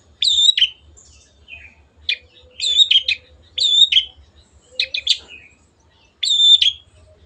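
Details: A cage-kept long-tailed shrike sings on a training recording: repeated harsh, chattering phrases with high whistled overtones, spaced by short pauses, plus a soft low hum.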